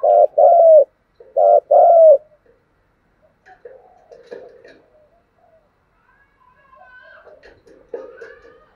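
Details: Spotted dove cooing: two paired, hollow, mid-pitched coos at the start, then quieter faint chirps and indistinct sounds in the background.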